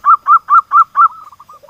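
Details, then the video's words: Local zebra dove in full song, used as a lure to bring silent doves into song: five loud, clipped cooing notes about a fifth of a second apart, then a softer trailing run of quick, fading notes. "pancingan Perkutut lokal gacor, suara perkutut gacor pancingan Perkutut bisu"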